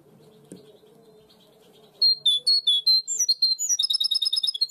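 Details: Goldfinch hybrid with its 'primaveras' (herrerillo) style song, a style favoured in Barcelona. A low hum and a single tick come first, then loud clear whistles that speed into a rapid string of high repeated chips.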